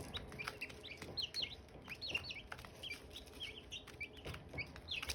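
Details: Silkie chicken chicks with hatching eggs, chirping: many short, high, downslurred peeps overlap in a busy chorus, several per second, over a low background hum.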